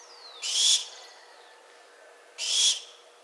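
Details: Barn owl call: a faint downward-sliding whistle leads into a harsh, hissing screech, and a second screech follows about two seconds later.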